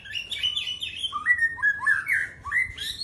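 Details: White-rumped shama singing in a quick run of fluty whistled phrases that slide downward, then a string of rising and falling warbled notes ending on higher squeaks.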